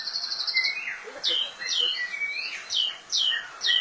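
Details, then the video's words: White-rumped shama singing a run of loud, clear whistled notes, each sweeping sharply down, with rising slurs and a short buzzy opening phrase, delivered in quick bursts about twice a second. "Kicau Mania Burung Murai Batu"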